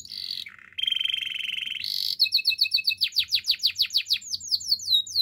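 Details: Canary song for training: steady rolling trills at two pitches, a brief pause, then a string of sharp descending whistled notes repeated quickly and evenly.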